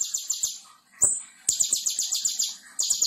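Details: Konin tutor song meant for training other birds: brief bursts of very high, rapid trilled notes, a single sharp whistled note between phrases, and faint clicking in the background.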